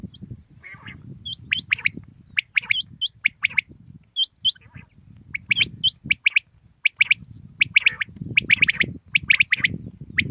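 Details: Common quail calling in the morning: a rapid, irregular run of short, sharp, high chirps, some bunched in quick clusters, over a steady low rumble with human voices talking in the background.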